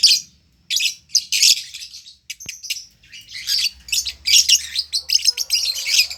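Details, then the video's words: Lovebird, an Indonesian singing bird, giving a long "ngekek" song: rapid bursts of harsh, chattering high notes in dense clusters, with brief pauses between runs and a faint low hum beneath. "Love birds gacor ngekek panjang konslet - Love Birds Sounds Ngekek"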